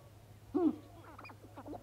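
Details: Male sharp-tailed grouse displaying on a Montana lek at dawn in April, roughly thirty birds present: a sharp hooting note that drops in pitch, followed by a run of quick nasal, cackling syllables over a low hum.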